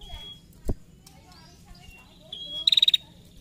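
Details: A female prinia gives its ticking call, a burst of about six rapid, high, near-level ticks after thin high whistles, used to lure other prinias into calling; a dull thump and faint hiss are also heard.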